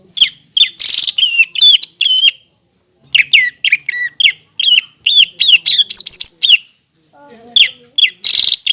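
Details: Greater green leafbird in full 'gacor' song, kept as a tutor to make young birds sing: bursts of sharp, ringing, down-curved whistles repeated quickly, broken by a silent gap and a brief soft lower warble near the end.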